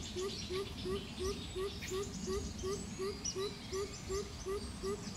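A Greater Coucal gives a steady run of deep, hollow hoots, about three each second, with faint higher chirps of other birds behind.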